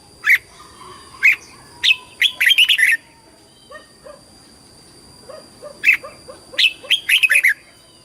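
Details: Bulbul song for competition, luring and voice training, red-whiskered species: a series of sharp chirps building into a fast warbling flourish, a quiet stretch with soft low notes, then the chirp-and-flourish phrase again.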